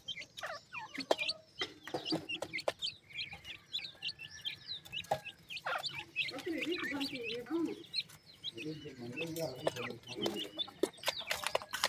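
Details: A group of hungry young grey francolins, Sindhi teetar babies, in Pakistan: a continuous chorus of high, thin peeping and chirping, dense clicking and tapping, and stretches of lower murmuring voices in the middle and near the end.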